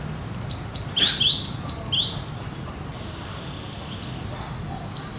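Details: Cinereous tit delivering gacor nagen song, sounding as in the wild: crisp, high, rising two-part whistles repeated about four per second, followed by softer, fainter phrases and a final clear note.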